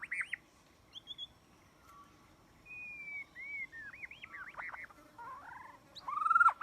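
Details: White-rumped shama song played as a trapping lure: varied clear whistled phrases, rising and falling slides and quick looping notes separated by short pauses, with a faint steady background hiss.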